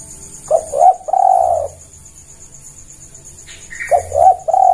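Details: Spotted dove, its call used as a lure for trapping: a three-part coo phrase of two short notes and one long drawn note, a pause, then the same pattern repeated, over faint high hiss.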